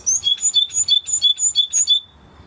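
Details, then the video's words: Spanish Timbrado canary repeating a bright two-part note about every third of a second, a high slur dropping into a lower tone, eight times in a row before stopping. "Canary Sound Effect - Canary Singing Video"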